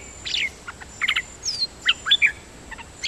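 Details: Nok dok taeng delivering a jumble of scratchy chirps, a high whistled slur and short clicks, over steady background hiss.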